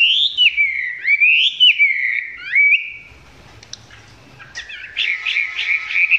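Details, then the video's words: Chinese hwamei filmed up close, song not yet fully developed: loud sweeping whistled phrases for three seconds, a pause with faint rustling and a soft click, then rapid warbled notes resume strongly. "em mi hót chưa căng lắm nhưng tạm chơi được"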